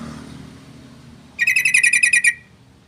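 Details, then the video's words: Sooty-headed bulbul, called trucukan, singing a rapid burst of about ten bright, bubbling warbled notes repeated in quick succession, lasting just under a second, with faint low background rumble. "Masteran Trucukan Gacor"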